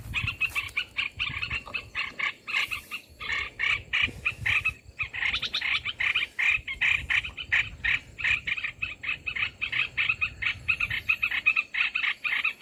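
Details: Olive-winged bulbul calls used as a lure for trapping birds: dense, harsh chattering notes in rapid clusters, almost continuous, with brief pauses near three and five seconds and faint low rustling underneath.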